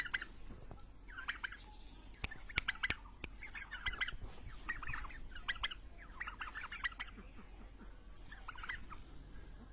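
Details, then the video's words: A turkey gives a run of rapid, rattling, bubbling gobbles, about one a second, with a few sharp knocks in the background. "Turkey bird real sound"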